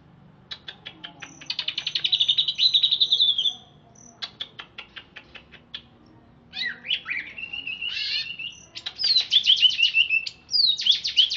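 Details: Bathed, talkative greater green leafbird of Alas Purwo, Banyuwangi origin, caged in Bekasi: clicks leading into a buzzy trill, then varied slurred notes and a cascade of descending whistled phrases.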